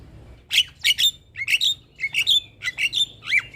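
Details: Starling phrases played to get caged starlings singing: paired harsh squawks with whistled overtones, repeated about every half second, ending in a sliding whistle.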